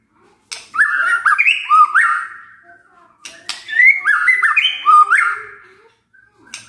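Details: White-rumped shama song in the kretekan and tembakan styles: two bursts of rapid, warbling whistled phrases with upslurs and clicks, separated by a brief pause.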